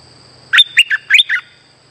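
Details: Lure song of a streak-eared bulbul, played to trap birds: a single burst of five liquid, chattering notes bending up and down over a faint constant high tone.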